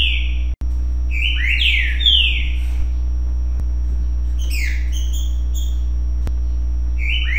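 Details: Green-winged saltator singing its "currucutill" song: loud, rich whistled phrases that slur up and down, in short bursts about every two seconds over a steady low hum.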